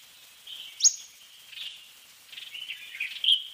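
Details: Fork-tailed sunbird (Aethopyga christinae) giving a few thin, very high chirps, one sharp downward-sweeping note standing out among softer twittering.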